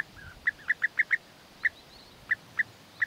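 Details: European bee-eaters during courtship, the male winning the female with food gifts; short, liquid rolled notes given singly and in quick bursts, about nine calls in three seconds, over a quiet background.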